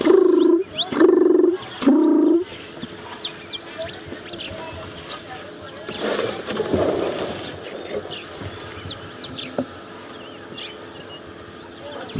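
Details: A dove coos three low, hollow notes in quick succession, then falls quiet. It was heard on a morning safari drive at Djuma Game Reserve on 29 May 2015, near hippos in water. Faint high chirps of other birds and brief murmuring voices follow.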